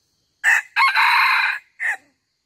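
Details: Red junglefowl hen and rooster calling each other, a recording used as a trapping lure; three harsh, crow-like bursts: a short one, a long sustained middle phrase, then a brief final note.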